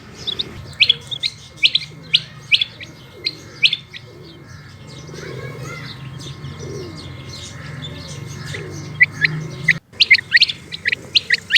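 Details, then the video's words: Female rain quail, locally called batair, calling: sharp, high, clipped notes, often in quick pairs, repeated irregularly over a low hum and a steady faint tone, with a brief pause before the calling resumes. "Rain Quail Calling Hd |Batair Ki Awaz |Female Quail Calling Batair Ki Awaz"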